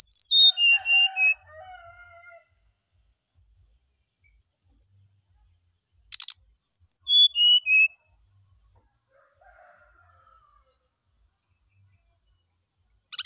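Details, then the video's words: Brown-chested jungle flycatcher in the morning, singing to provoke a reply: bright whistled phrases dropping in pitch, repeated after a pause, with lower warbling notes underneath. "PANCINGAB SRDC NYULING DI PAGI HARI"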